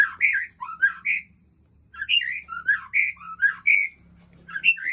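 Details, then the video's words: White-rumped shama from Aceh Besar, Aceh, sings varied clear whistles, rising and falling slurred notes in quick bursts with a short pause after the first second. "Murai Aceh"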